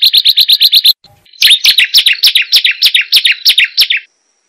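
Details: Hill prinia song used as a lure for a kept bird: a quick run of about eight bright, evenly spaced chirps, a brief pause, then a longer string of lower, slurred, downward-sweeping notes.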